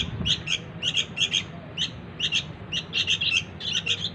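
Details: Young sooty-headed bulbul begging to draw in its parents: bright, scratchy chirps, mostly doubled, repeated about every half second over low background hum.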